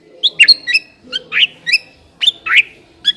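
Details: Shama lure song: sharp, chirping whistled notes, some slurred and rasping, delivered in quick pairs with short gaps.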